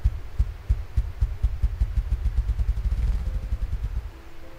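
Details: Ruffed Grouse drumming, a breeding-season wing display audible up to 1/8–1/4 mile or more. Deep, muffled wingbeat thumps start slowly and speed up into a rapid low whir, then fade out.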